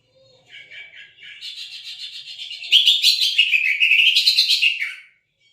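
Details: Cucak ijo (green leafbird) song meant to coax a non-singing bird: a continuous, dense, rich warbling stream of high chattering notes that builds in loudness toward the middle and fades out.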